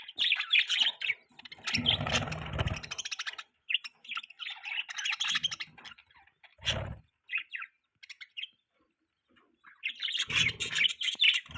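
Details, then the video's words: Budgerigar chattering in rapid bursts of scratchy, warbled chirps, pausing briefly between phrases, with a few low thumping noises in the background. "Budgie Chirping Sounds | Budgie Singing Sound | Budgie Beautiful Voice"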